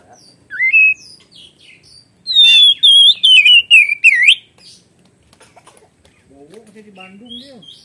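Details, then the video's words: Kacer (Oriental magpie-robin) delivering 'gacor ngeplong' song full of 'isian': one rising whistle, a pause, then a rapid run of about eight shrill, twisting notes, followed by quiet and a lower wavering sound near the end. "Kacer Gacor Ngeplong Full Isian Suara pedas"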